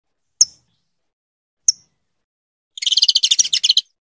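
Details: Two isolated high, clipped chips from a female saffron finch calling her mate to breed, followed by a second-long burst of fast, buzzy chattering notes.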